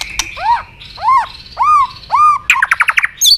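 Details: White-rumped shama fighting song used to excite a rival: four slow, arched whistled notes about half a second apart, followed by a rapid stuttering trill and a high clipped whistle.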